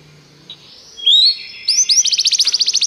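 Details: Canary singing on a training recording for canaries: quiet start, then a rising slurred whistle followed by a rapid, evenly pulsed high trill.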